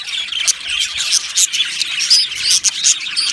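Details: Budgerigars in an aviary colony, a dense chorus of sharp chirps and squawks with bright warbling, several short loud bursts standing out over continuous overlapping chatter.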